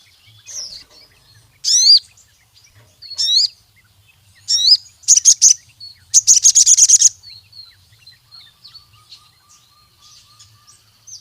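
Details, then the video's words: Ruby-cheeked sunbird (sogon) singing vigorously to challenge rivals and prompt other sogon to sing: loud, high sweeping upslurred whistles repeated every second or so, two rapid chattering trills, then soft scattered high notes. "Sogon Gacor MEMANGGIL LAWAN, suara burung sogon untuk pancingan masteran sogon manapun jadi gacor"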